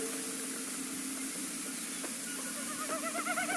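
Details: Wilson's Snipe winnowing near a wetland: a hollow, rapid, pulsing hoo-hoo-hoo that swells near the end, made by the tail feathers as the bird stoops at speed in its display flight, over a steady low hum.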